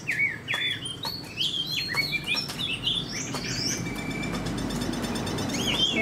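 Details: Chinese hwamei kept caged as a spread-tailed fighting bird, giving scattered rising and falling whistles that fade into growing background noise toward the end.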